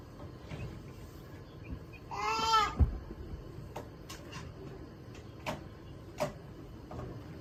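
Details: Call duck giving one drawn-out, nasal, strongly harmonic call lasting under a second, followed by scattered clicks and knocks in a quiet indoor room with faint background chirping.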